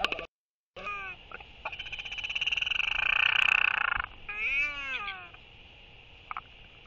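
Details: Royal albatross courtship interaction, one bird welcoming its banded mate with skycalls and displays: a long rapid rattling clatter building to a peak, then a drawn-out arched wailing call.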